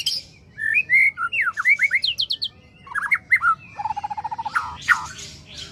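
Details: Wild male white-rumped shama singing: clear whistled slurs and bright rising notes, a burst of high fast notes, then an even rapid trill of about ten notes per second ending in sharp chirps.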